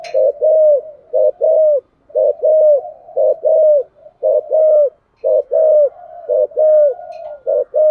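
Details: Steady cooing of a spotted dove in 'giọng thổ' style, used to get other doves cooing; low, round two-part phrases, a clipped note followed by a drawn-out bowed coo, repeated evenly throughout.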